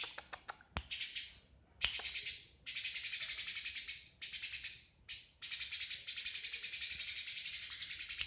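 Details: Eurasian tree sparrow, known locally as burung gereja: a few sharp clicks open, then long bursts of dense, rapid, high chattering chirps run for one to three seconds at a time with brief gaps between.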